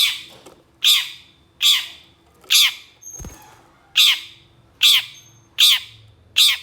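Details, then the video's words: Long-tailed shrike delivering a steady series of eight rough, rasping squawks at under a second apart, a brief low thump midway; an aggressive, fast-responding bird with coarse song. "KICAU CENDET GACOR EMOSI CEPAT DI RESPON PENTET JENIS LAIN, MASTERAN CENDET FULL TEMBAKAN KASAR"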